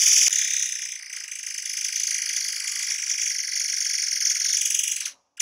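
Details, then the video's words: Forktail, called murai air, giving dense rapid-fire song bursts used as a tutor recording for cage birds; one long unbroken shrill, buzzy, finely pulsing high-pitched trill lasting about five seconds before a sudden cut. "Tembakan RAPAT Murai AIR 90% Jitu untuk Masteran"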